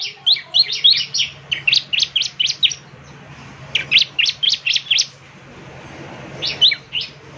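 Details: Semi-gacor ciblek, the Bar-winged Prinia, in song used each morning to make other ciblek answer; quick bursts of high, snappy chirps in three groups separated by short silences over a faint hum.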